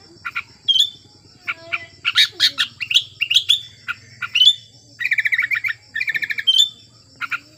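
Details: Sooty-headed bulbul, a bird in breeding condition singing to stir silent bulbuls: varied sharp chirps and whistled slurs, then quick trilled bursts of evenly spaced notes, with a steady low droning hum behind.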